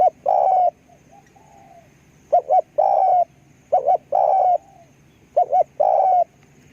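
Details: Cooing of a spotted dove used to lure others: twin short hoots answered by a sustained rising coo, four phrases in quick succession, with soft background hum.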